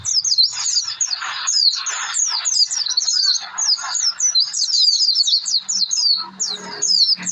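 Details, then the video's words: Oriental white-eye in energetic lure song meant to make birds sing: an extended racing series of high, thin, zigzagging notes, dense and continuous, with a faint low hum near the end. "pleci gacor pancingan suara pleci"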